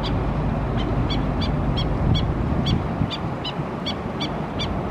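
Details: A Black-necked Stilt mother gives sharp, yapping alert notes, about three or four a second in an uneven stream, while her chicks forage at Oso Creek, Laguna Niguel, California, on April 29, 2017. A steady low rumble of wind or distant traffic runs underneath.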